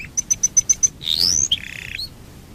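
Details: Domestic canary singing as a lure for other canaries: six evenly spaced high piping notes, then a short rising sweep and a brief buzzy roll.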